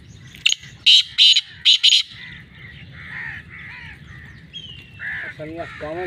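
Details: Loud harsh call of a black francolin (kala titar): four grating notes delivered in a quick series, followed by softer calls and chirps from other birds.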